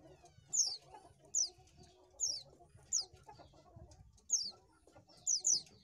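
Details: Lure song of an Oriental white-eye, with short, sharp, high falling whistles given in bursts about once a second, some doubled, against low background hum.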